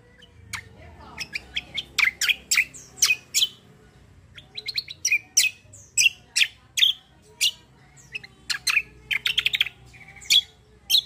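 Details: Black-winged myna singing its energetic fighting song, a long series of sharp, high chirps in irregular clusters, occasionally stuttered into quick doubled notes, with faint background hum.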